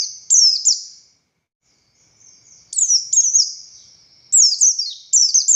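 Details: Oriental white-eye of the buxtoni form, described as a lively, persistent singer and used as a tutor recording for other white-eyes, gives high, thin twitters of rapid descending slurs in bursts, a long pause, then quicker repeated phrases.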